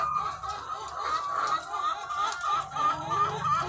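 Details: Thousands of egg-laying hens on a farm, one nearer hen giving a wavering, repeated cackle above a constant murmur of clucks from the flock and a low hum.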